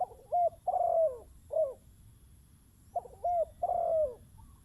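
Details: Spotted dove used to lure a wild bird: two quick phrases of coos, each a trembling note, then a clear coo and a drawn-out falling coo, with a quiet pause between them.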